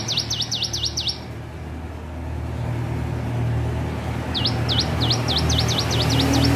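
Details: Practising hill prinia delivers a quick series of V-shaped chirps, goes quiet, then resumes with a longer accelerating string of similar notes, while vehicle rumble fills the background.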